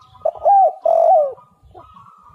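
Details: Spotted dove cooing used as a lure: a single loud phrase, a curved opening note then a sustained coo sliding downward, followed by a faint steady higher tone.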